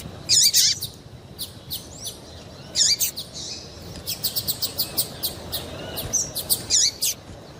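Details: Female double-collared seedeater giving calls meant to stir males to sing: a loud, slurred descending chirp opens, then thin, high notes and a quick run of short chirps near the end.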